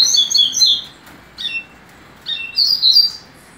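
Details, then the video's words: Double-collared seedeater from a breeding line, singing in the Barra Mansa style: loud bursts of sweet, quickly slurred high notes in short phrases, broken by brief pauses before the next phrase, with a quiet background. "Coleiro Barra Mansa."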